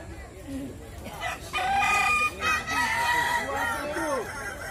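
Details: Kukuak Balenggek chickens competing in a West Sumatra crowing contest: one rooster gives a loud, drawn-out crow in stepped, ringing notes lasting about two seconds, over a chorus of other roosters crowing at once.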